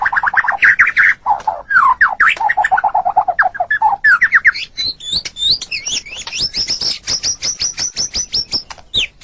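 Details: White-rumped shama song used as training audio for pet songbirds: a long varied run of fast warbled and slurred notes, shifting into a rapid series of high sweeping whistles repeated many times.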